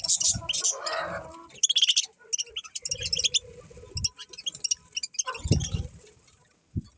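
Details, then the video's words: Several budgies chatter in quick, grating high chirps and clicks that come in irregular runs, with soft low bumps and rustles in the background. "Beautiful Budgies Chirping Sounds"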